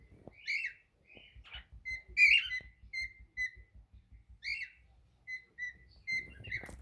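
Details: Singing pet cockatiel giving a run of clear, level whistled notes of similar pitch, mixed with brief rasping bursts, in a small room with low clicking noises beneath.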